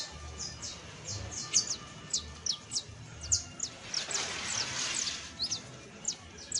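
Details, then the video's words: [['Rapid, high saffron finch chips slurring downward, steady and irregular, overlapping in places, with a soft broadband hiss midway and low rumble.']] "EL CANTO DE ESTA AVE VA A SERVIR PARA AYUDAR A TU CANARIO BASTO CRIOLLO [Sicalis Flaveola]"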